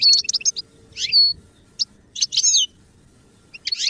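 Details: Goldfinch song used for song training: short bursts of high, liquid twittering notes broken by brief silences, with one thin whistled note held for a moment, in a quiet setting.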